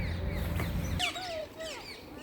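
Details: Wild rose-ringed parakeets in London, England, drawn in with an apple, give two harsh, grating squawks about half a second apart, with thinner chirps of other birds and a low hum at the start.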